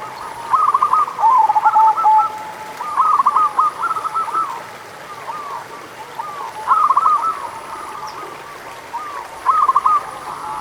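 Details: Local zebra dove singing, used to stimulate doves that are reluctant to sing. Rapid stuttering coos come in short bursts every two to three seconds over a soft hiss and a thin high tone.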